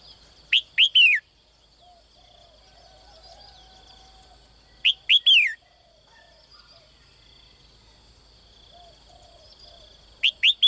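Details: Morning calls of a female bird in a cage seeking a strong male: three phrases roughly every five seconds, each two sharp rising chirps then a descending whistle, over a faint constant high hum.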